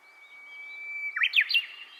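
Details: Japanese bush warbler singing at Nanakuni Kimita Park: a long, steady whistled note held for about a second, then a quick, loud, warbled flourish of rising and falling notes.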